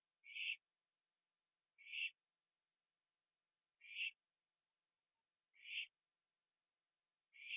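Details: Owl feeding on a gopher on a porch at 11:15 PM, September 21, 2011; five brief, harsh hissed bursts repeated at irregular intervals of about one and a half to two seconds in a quiet night.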